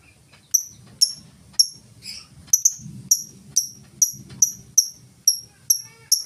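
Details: Lovebird in ngetik style without ngekek, a lure to get other lovebirds singing: evenly spaced, piercing high ticks about every half second over a faint low background murmur.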